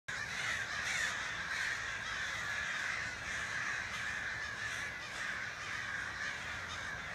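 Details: Large flock of crows heard on an evening walk, circling overhead and gathered in a crowded tree; a dense, continuous chorus of overlapping harsh caws with no pauses, steady in loudness throughout.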